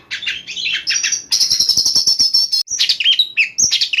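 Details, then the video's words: Oriental magpie-robin song recorded at night: dense, energetic run of whistled notes, buzzy rattles and quick trills, with a sustained high whistled passage in the middle and varied chirps at the end. "PANCINGAN BURUNG KACER DI MALAM HARI II NYEMBUR NYEMBUR"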